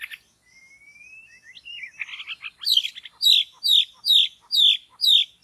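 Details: In a forest trapping setting a white-rumped shama gives a thin rising whistle and scratchy notes, then a steady run of loud, sharply descending whistled notes, about two per second.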